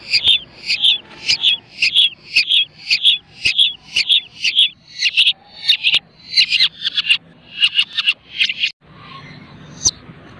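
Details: Pet long-tailed shrike, hand-fed from young and mastered with mp3 audio, fires a steady volley of clipped high chirps about twice per second, then a tighter cluster of notes before a sudden stop.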